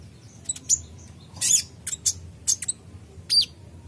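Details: High-pitched kolibri ninja sunbird: a few sharp, thin chirps and short bright tweets spaced irregularly, some doubled, with quiet gaps between them.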